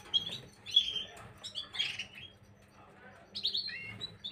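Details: Gloster canary song from 9 January 2023: loud high whistled notes and warbles in short bursts, a quieter gap midway, then a fresh burst of descending chirps.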